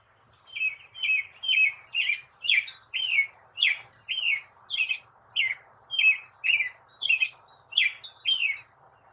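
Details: American Robin singing its most common song: a steady string of clear, slurred whistled notes, each dipping in pitch, about two per second, over faint background hiss.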